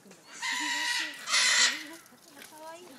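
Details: Harsh, grating calls of a captive vulturine guineafowl at a zoo in Kanagawa, Japan, recorded with an iPhone: one long raspy burst followed by a shorter, louder one, with soft human voices in the background.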